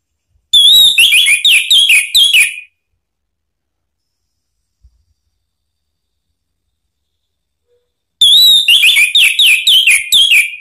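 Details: Lure song of an orange-headed thrush, aimed at stirring another bird to sing: two bursts of quick, stuttering whistled notes, each about two seconds, separated by a long silence.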